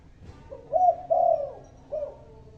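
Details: One full spotted dove coo phrase: a quiet lead-in note, two loud mellow hooting coos, then a shorter, softer falling final coo, with low background rumble.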